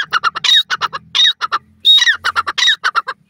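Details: Female grey francolin calling loudly and harshly. Rapid bursts of short squawky notes alternate with longer, rasping, slightly descending notes. A longer note comes roughly every 0.7 seconds, over a faint low hum.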